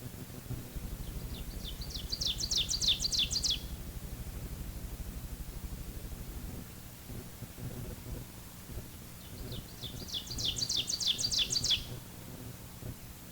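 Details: Ovenbird, a warbler singing its emphatic two-noted teacher, teacher song from a low perch in forest understory; two bursts of rapid repeated phrases, each growing louder toward the end, separated by about six seconds of rumbling background noise.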